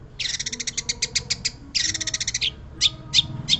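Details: Energetic Long-tailed shrike song: fast rattling chatter of rapid harsh pulses in two long runs, followed by three separate sharp, buzzy notes spaced evenly apart; faint low hum behind.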